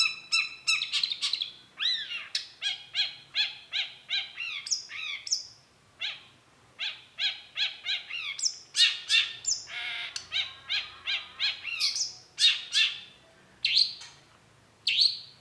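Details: Long-tailed shrike singing a long, busy sequence of rapid chips, harsh notes and downward sweeps, with fast chattering runs and short pauses between bursts.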